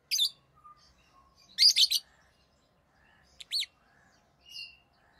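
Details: Tame rosy-faced lovebirds of orange-faced green and red-headed green forms giving short, shrill, buzzy chirps in small bursts, a double chirp near the middle, softer whistles between, quiet background.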